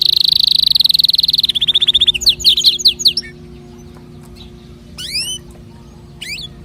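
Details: Canary song intended to prompt other caged birds to sing. A rapid buzzing high trill slows into choppy whistled notes, followed by quiet pauses broken by a few sharp upward-sweeping calls.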